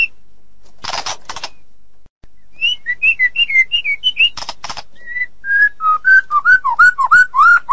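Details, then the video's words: Song of a white-rumped shama for tutoring songbirds: after harsh rasping bursts and a brief pause, a rhythmic series of quick whistled notes, then lower, fuller slurred whistles repeated in a steady swinging pattern. "Suara Masteran Burung Murai Batu"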